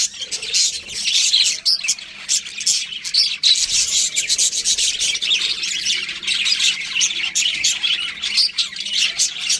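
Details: Several budgerigars chattering nonstop, a dense rasping stream of high, buzzy chirps and squeaks with no pauses.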